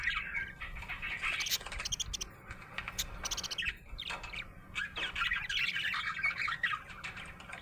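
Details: Contented budgerigar chattering in bursts of warbled chirps and squeaks, roughly four notes a second but irregular, with short quieter gaps.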